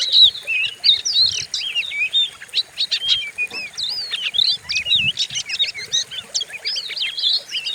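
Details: White-rumped shama singing aggressively for training other birds: a fast medley of looping whistles, upslurred chips and twittering notes without break, with faint low thumps underneath.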